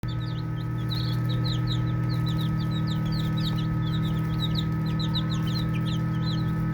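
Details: Baby chicks playing together, a flock peeping constantly: short, high, sharp chirps, many sliding upward, overlapping at roughly four per second, over a steady low mechanical hum.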